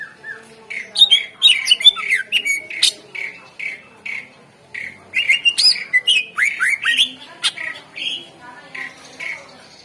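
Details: Greater green leafbird as a lure for stuck singers: a continuous rush of short whistled and chattered notes, about two per second, rising and falling slurs throughout.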